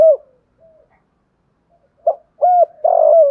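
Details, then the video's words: Spotted dove giving its loud, hurried coo in a pleasing rustic voice: a mellow cooing note, a pause, then rapid throaty coos ending in a drawn-out falling coo, close and clear with no other sounds. "Tiếng chim cu gáy thúc gù giọng thổ hay"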